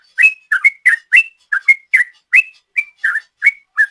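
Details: Sooty-headed bulbul giving 'ropel' song used as a lure: a short string of crisp whistled notes, some doubled, spaced a little more loosely, each with a sharp attack and quick pitch slide.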